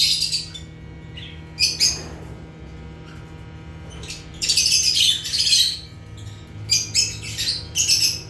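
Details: Rare African lovebirds (Agapornis) chirping naturally: scattered short shrill squeaks, then a dense run of harsh high chatter near the middle, followed by a few sharp chirps over a low background hum.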